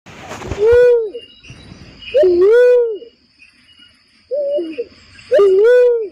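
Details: Barred cuckoo-dove lure call used for bird trapping: three deep, arched, rising-then-falling hooting notes spaced irregularly, one shorter partial note between, over faint steady high-pitched tones and some rustling.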